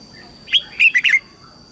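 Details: Red-whiskered bulbul kept as a lure bird, singing to call wild bulbuls in to fight: one short bright phrase of four quick whistled, warbling notes against a steady high background hum.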